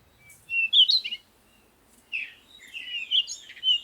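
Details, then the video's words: Morning sunrise with birds twittering. A sharp burst of high chirps is followed by a pause, then a longer, jumbled run of thin, high notes. "Morning Sunrise and Birds sound"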